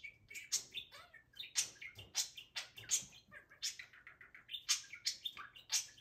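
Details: Pet male budgerigar excitedly talking to his cage toys indoors; rapid, continuous scratchy chatter of clicks, squeaky whistles and buzzy warbles, about one burst each second.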